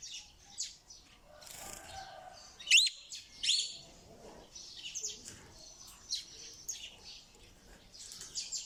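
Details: Parrot giving a couple of sharp, rising squawks amid a busy background of softer chirps and chatter from many other birds.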